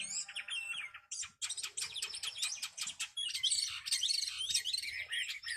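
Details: Fan-tailed, tame caged hwamei entered in singing competitions mixes soft whistles with a burst of harsh, rapid chattering strokes, then tangled high warbling, quieter than its other passages.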